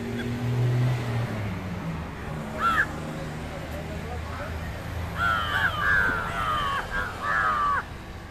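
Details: Indian jungle crow (Corvus culminatus) during a fight giving one hoarse caw, then a quick run of several harsh, rasping caws, over a low rumble of traffic.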